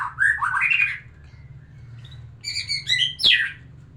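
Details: White-rumped shama singing to arouse a female for breeding: a burst of rich, varied whistled notes, a pause with a faint low hum, then sharp high phrases and quick downslurred whistles.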